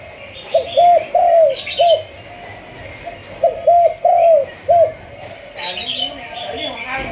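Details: Malaysian spotted dove of the thúc gù line, kept for decoy training, cooing in two short bursts of soft hollow notes, a brief note then a longer falling one, with faint chirps and room noise between.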